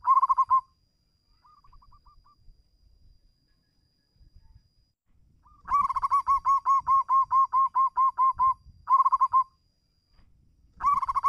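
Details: Zebra dove; call; calling out to a rival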